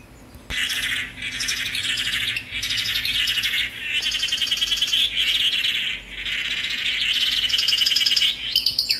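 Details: Song of the tangará, or swallow-tailed manakin: sustained, rapid, buzzy warbling delivered in long bursts of several seconds each, broken by short gaps, bright and high with fine trilled notes throughout.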